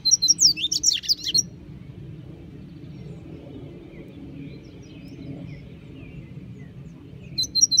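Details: A double-collared seedeater singing in the bush gives a quick burst of high, twittering, slurred notes, then falls quiet before another phrase, over a low background rumble.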